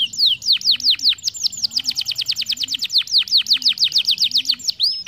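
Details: Young canaries' training song for rolls: continuous rapid descending whistled sweeps, about six per second, clear and loud, with a faint low warbling underneath.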